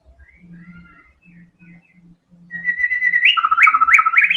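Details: Murai batu (white-rumped shama) song of the 'tembakan' type. Soft distant twitters and low knocking give way to a sustained clear whistle that climbs, then breaks into loud, quick, leaping notes.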